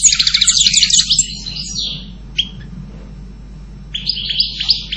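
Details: European goldfinch singing: a rapid burst of tinkling, twittering high notes, then a pause with a single clipped chirp, and a fresh run of bright trills resuming near the end.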